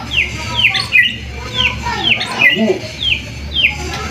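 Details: Song of a white-rumped shama used as a lure for other birds: sharp downslurred whistles repeated at a steady pace, several per second in places, mixed with softer lower warbles and a persistent hum.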